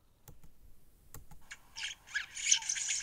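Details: Red-headed weaver building a nest: a harsh, scratchy chatter of rapid buzzy bursts that grows louder, preceded by a few dry knocking clicks.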